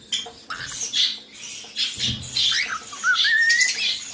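A cockatiel gives scratchy squawks and chirps, then a thin rising whistle.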